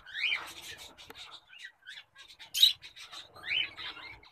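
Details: Full orange zebra finch giving quick, bright chirps, some sliding upward, in uneven bursts with short pauses between them.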